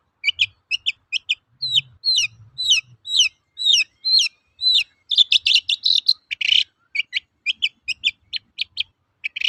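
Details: Long-tailed shrike song used to lure and train birds: a quick run of sharp, hooked squeaky notes, then a brief scratchy jumble and more spaced chirps, about two notes per second.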